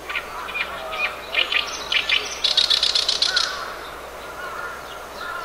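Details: Oriental reed warbler song recorded 10 June 2012: harsh, grating rasping croaks building into a fast, chattering run of buzzy notes before trailing off, strikingly harsh for a small bird.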